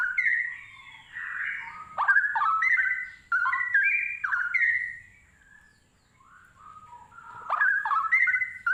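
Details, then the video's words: Straw-headed Bulbul pouring out loud, rich, bubbling warbled phrases in mid pitch, coming in rapid bursts with a brief lull midway; a faint low hum underneath. "Burung cucak Rowo sepesial. (spesial bird sounds)"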